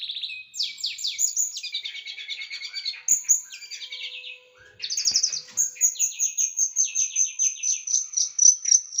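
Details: Small bird singing a rapid, varied song used as tutoring material for pet birds, with sharp, dense, rough bursts: high buzzy trills and sweeping notes, a short pause, then a fast run of repeated high chips.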